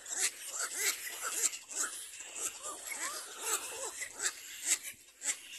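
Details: Little black cormorant, a mother with her chick while she teaches it to clean; a run of thin, arched whining calls, rising then falling, repeated roughly twice a second over a steady hiss with sharp crackling clicks.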